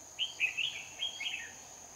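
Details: Red-whiskered bulbul at a trapping session in Hoa Binh, Vietnam, on 18 November 2019. A single quick, liquid warbling run of linked chirpy notes lasts about one and a half seconds, with a steady thin electronic-sounding whine behind it.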